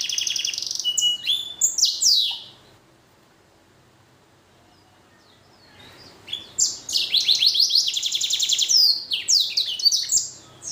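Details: Hybrid finch from a blackthroat and canary cross singing energetically: high sweeping notes, then several seconds of quiet, then a long, dense rattling trill mixed with varied whistled phrases.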